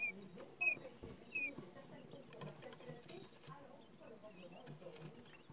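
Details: Quail chicks in their first days after hatching, active and chasing a shiny spoon: three short, high, thin peeps in the first second and a half, then only faint soft sounds and a low murmur.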